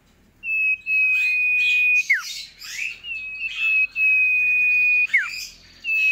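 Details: Sooty-headed bulbul singing vigorously: a series of long, level high whistles, several ending in steep downward slurs, mixed with rough, chattering bursts.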